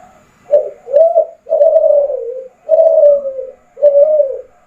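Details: Derkuku, or spotted dove, giving a lively Kelantan-style song: a quick pair of short hooting coos followed by long, slightly descending mellow coos, four or five notes in close succession.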